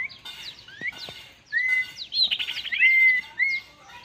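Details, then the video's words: Common iora, described as fierce, reacting to a decoy bird: clear whistled notes near one pitch, short upslurred chirps and a burst of rapid, rattling notes in the middle, with faint background chirping. "DENAK BURUNG KUNYIT KECIL YANG GARANG"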